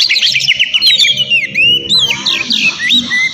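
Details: Short burst of loud kacer song meant to lure a rival: sweeping whistled glides and a fast trill of repeated notes, with sharp, bright tones.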